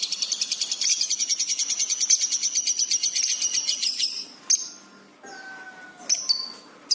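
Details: Lovebird in full, fast-responding song on a pet-bird training recording: a long, rapid, high-pitched rattling trill for about four seconds, then a few separated sharp whistles and squeaks.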